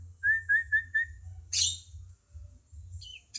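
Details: Cucak cungkok bulbul in a songbird training recording: four clear, even whistled notes in quick succession, then a sharp harsh burst and a short downward-slurred whistle, with low background hum.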